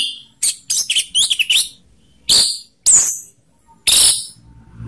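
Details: Lure song of an orange-headed thrush, ngeplong style with rough and slow voices; a stuttering string of high, bright notes followed by three separate loud, hissy-toned phrases.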